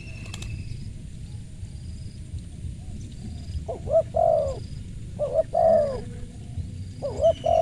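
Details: After a quiet start, a crisp-voiced spotted dove coos: a quick double note then a long, throaty coo, repeated three times roughly every second and a half. Faint high whistles sound in the background.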